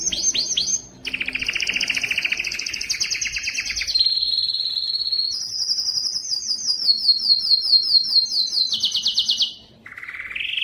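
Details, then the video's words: A Spanish timbrado canary sings a continuous chain of fast rolling trills and buzzy tours, shifting between high and mid pitches every second or two. "canary singing timbrado"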